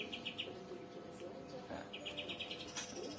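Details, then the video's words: Pied triller song played back as training audio for a captive green leafbird to copy: a quick, even series of clear, high notes, first a short burst of four, then a longer rolling run, over a faint hum. "Usahakan agar suara kapas tembak terdengar berirama."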